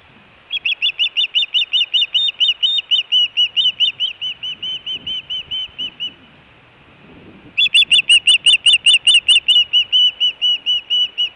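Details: Osprey at the Hellgate nest in Montana, June 2017, with food and alert calling: long runs of loud whistled chirps, a brief pause, then more urgent, harsher-edged notes about two per second.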